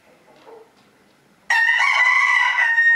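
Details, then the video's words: A rooster at a crowing contest in Villers-la-Ville, 2022. Faint murmurs give way to a sudden, loud, sustained crow with a steady, clear tone and dense harmonics, held for about a second and a half. "Chants du coq 2022"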